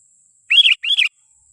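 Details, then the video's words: A single pair of quick, loud, arching chirped notes from a sooty-headed bulbul, a call used to lure wild bulbuls, over a faint constant high hiss. "Suara asli pikat kutilang Ziggo 100% ampuh memanggil raja nya kutilang liar"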